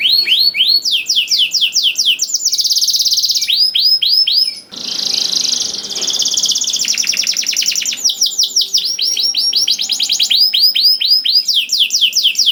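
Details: Canary song used as a master recording to prompt other canaries to sing: continuous rapid trills and rolling tours of repeated high downward-sweeping notes, with bursts of fast buzzy rattles, loud and unbroken, no other sounds.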